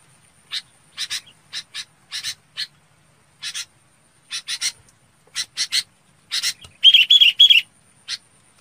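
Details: A red-whiskered bulbul calls to its flock with short, harsh chirps in quick pairs and clusters, ending in a louder, rapid burst of scratchy notes.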